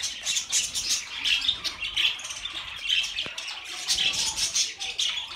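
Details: Budgerigar flock chattering for lonely birds: constant high squawky chirps and warbles, many birds overlapping, one sharp click near the middle.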